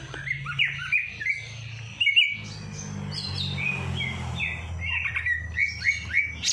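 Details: Songbird heard after its night bath, played to make a lazy bird sing: varied chirps and slurred whistles, some in quick clusters, others drawn out, above a steady low drone.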